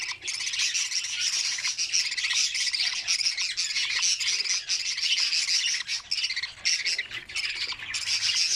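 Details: A nest of budgerigar chicks, opened at feeding time, fills with an unbroken wash of shrill, rasping begging squawks from several young calling together.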